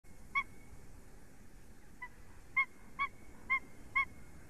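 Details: White-tailed eagles in Latvia calling during mating at 9:40 AM on 29 February 2020: one short yelp, a pause, then five sharp, clipped yelping notes spaced about half a second apart, over a quiet background hiss.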